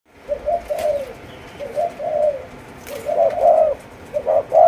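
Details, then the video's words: Four-month-old Malaysian-line spotted dove of the chiêu gù chạy cooing style, giving soft low coos in paired and drawn-out phrases, repeated roughly once a second over a steady hiss of background noise. "Cu Gáy Malaysia Dòng Chiêu Gù Chạy 4 Tháng Tuổi"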